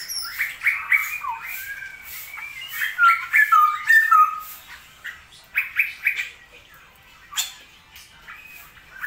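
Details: Straw-headed bulbul, a kept bird, recorded while the rainy season continues; a burst of loud gurgling, whistled phrases early on, then scattered shorter notes and brief clicks with pauses between.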